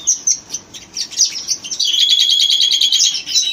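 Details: Red-rumped parakeets giving quick high chirps that merge in the second half into a continuous warbling, whistled chatter of rapid repeated notes.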